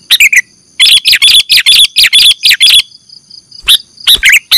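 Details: Sooty-headed bulbul calls used as a lure for catching birds: loud, bubbly chirping notes in quick clusters, a brief pause, then more chattering bursts over a faint steady high whine.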